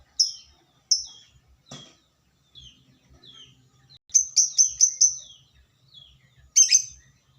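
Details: Lovebird calls aimed at provoking other lovebirds: a few separate high chirps, then a rapid burst of four or five chirps, then a final harsh note, with soft lower twitters between.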